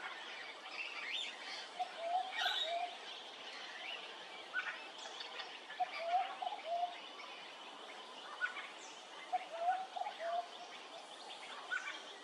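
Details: Peaceful dove calling at Hervey Bay, Queensland: short, soft rising coos in quick three-note phrases, repeated several times, over a busy chorus of higher chirping birds and steady outdoor background.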